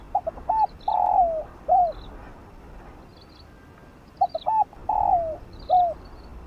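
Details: Spotted dove singing fast in the Vietnamese 'giọng đồng' (field voice) style, used to stimulate newly caught doves and train decoy birds: two mellow cooing phrases of short rising notes, a long drawn coo and a falling final note, faint high chirps behind.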